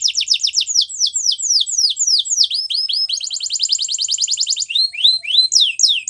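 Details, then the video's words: Training song of a canary: a long series of fast, downward-slurred chirps, a steady rattling trill in the middle, then slower sweeping whistled notes. "Canary Bird Singing | The Best Canary Training Song"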